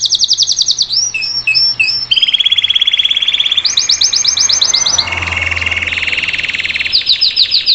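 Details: Salsa-style canary singing live, used to teach a young bird to sing; a continuous high song of fast trills and rattling tours, each held a second or two, switching between buzzy low rolls and sharp high repeated notes.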